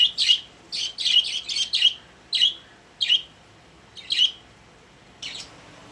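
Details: Caged pet budgerigars making bright, squeaky chirps, a quick cluster at the start and then single or paired notes spaced roughly half a second to a second apart.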